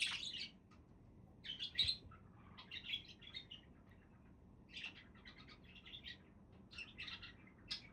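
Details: Budgerigar chatter: a loud scratchy opening chirp, then bursts of warbling chirps and squeaks at uneven intervals.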